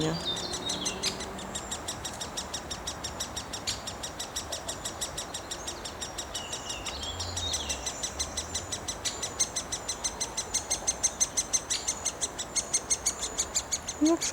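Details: A Great Spotted Woodpecker nestling, head poked out of its tree-hole nest in a Wrocław park, Poland, on 16 May 2024, begs nonstop for food from its parents: high ticking squeaks about three a second, growing louder; a man talks quietly.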